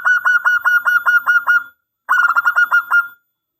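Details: Local Zebra Dove with a big voice, used as a lure to draw a reply. There are two bright phrases of rapid, evenly spaced coo notes, about eight and then six, with a short silence between.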